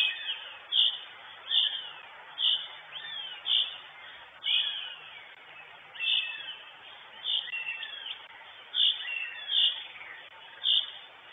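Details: Female northern goshawk on the nest in Estonia, 23 June 2022, picked up by a live nest camera: loud, high, sharp notes come in a steady series roughly every second, with fainter chattering between them.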